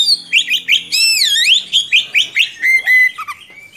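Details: Gacor Oriental magpie-robin giving long rolling song meant for tutoring young magpie-robins: series of sharp repeated chirps around a swooping whistled glide, then steady clear whistles fading to lower notes.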